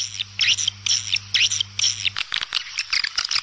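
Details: Swallow calls come in short bursts of high, scratchy chirps about twice a second, then break into quicker scattered twitters. A low steady hum runs underneath at first.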